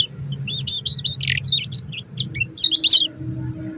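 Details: Lombok kecial kuning giving a 'ciak ciak' master sequence meant to excite other birds into song: quick high chirps and squeaky scratchy notes in an uneven burst, faint low hum beneath.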